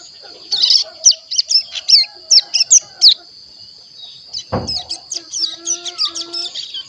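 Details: A month-old captive Hill Prinia practising song produces a quick series of sharp, high, hooked chirps, about two or three per second. There is a brief thump midway, then quieter, faster twitters.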